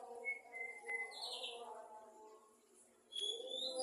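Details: Afternoon song of a male white-rumped shama: a few level whistled notes, then a buzzy high burst, a pause, and a rising whistled phrase, with a steady background drone.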